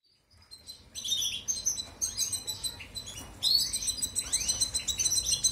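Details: European goldfinch singing, a recording played to train canaries: after a quiet start, a dense, fast run of high twittering and tinkling notes with short rising slurs, nearly continuous and growing louder midway.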